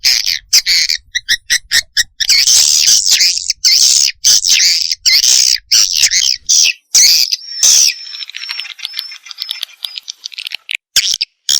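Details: Swiftlet chick calls used as a lure to attract swiftlets: dense, high twittering bursts broken by short gaps, turning into thinner, finer chittering near the end.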